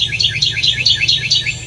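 A Bewick's Wren gives a fast, even run of high chirping notes, about five per second, over a faint low hum.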